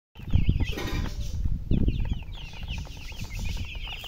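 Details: Baby chicks chirping with high, thin peeping notes in quick runs, over lower clucking and rustling sounds from the flock.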